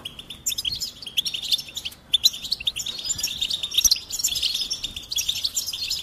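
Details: Goldfinch twittering: quick, high, sweet chirps mixed with buzzy trills after a short silent gap, continuing steadily.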